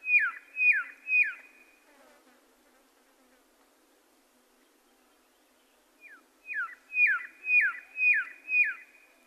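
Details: Red-lored whistler giving a series of strong downslurred whistles, three quick notes, a pause of several seconds, then six more at an even pace of about two per second.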